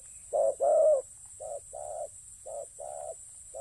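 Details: Two strong, throaty coos from a spotted dove used for ground decoying, followed by a run of quieter, even, flat coos spaced about half a second apart; a steady high-pitched hiss runs throughout.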